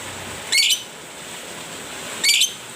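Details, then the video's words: Lovebird producing two brief, high, scratchy chirps about 1.7 seconds apart against steady broadband hiss. "Love bird yang jarang bunyi agar Gacor"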